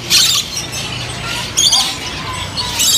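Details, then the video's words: An indoor rainbow lorikeet of the Swainson's form gives three shrill, grating screeches, each about a third of a second long and spaced over a second apart, over a low indoor hum. "Swainson's Lorikeet"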